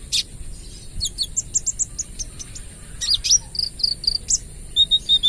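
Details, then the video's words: Lure song from a speckled olive-backed sunbird: thin high ticking notes leading into a series of clear, short, level whistles repeated about twice a second. "KOLIBRI NINJA (Konin) Trotol Gacor Full Tembakan AK 47 - Cocok Buat Pancingan"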